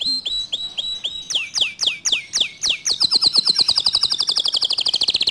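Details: Canary song meant to stir other canaries to sing along: short whistled notes, then a series of downward-sweeping slurs, ending in a fast, rapid trill of repeated notes.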